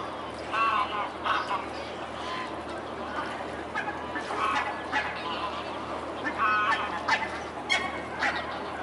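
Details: Mute swans on the Elbe at Dresden, recorded 17 May 2017 at 14:48; short nasal honking and grunting notes, some with clear harmonic bands, come in irregular bursts over a steady background hiss.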